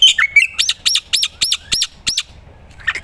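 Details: Singing black-winged myna, recorded to tutor other songbirds: a twisting whistle followed by six evenly spaced arched high notes, then near quiet.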